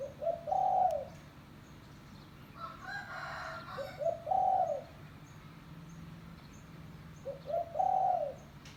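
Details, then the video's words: Spotted dove lure call for trapping doves: three coo phrases, short notes rising into a long soft coo, about every three and a half seconds, with a brief burst of another sound between. "Suara Burung Tekukur Kampung - Suara Panggilan Pikat Terkukur"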